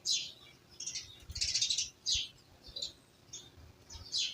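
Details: Birds in a village ambience give a busy run of high, rapid chirps and tweets, several overlapping bursts in quick succession, over a steady low background murmur and soft rustling.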